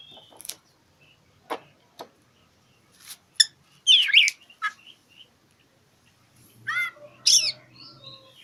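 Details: Oriental magpie-robin (kacer) song used to provoke a rival and coax silent birds: scattered sharp clicks, then a loud wavering warble near the middle and another rich burst near the end over a faint low hum.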